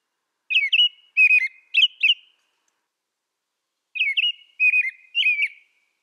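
American robin singing clear, caroling whistled phrases in two groups of three, each phrase rising and falling, with a short pause between groups.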